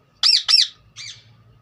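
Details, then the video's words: Green parrot giving two loud, harsh arched squawks in quick succession, followed by a shorter, softer third note, in a quiet setting. "parrot chirping sound"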